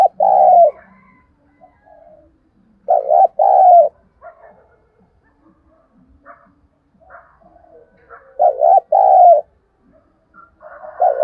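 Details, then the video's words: Spotted dove used as a lure, calling to stimulate other doves; a deep double coo repeats four times over eleven seconds, a brief warbled note then a fuller drawn-out one, faint mumbling between. "Tiếng chim cu gáy mồi thúc bổi rất sung"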